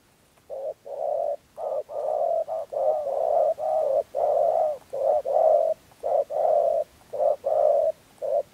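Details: Spotted dove cooing, recorded as a trapping lure in Dak Lak, 2022, in the local styles called thổ rền gù and chỉ gù: low, hollow, sustained coos in uneven bursts, roughly sixteen notes with short gaps, over a quiet background.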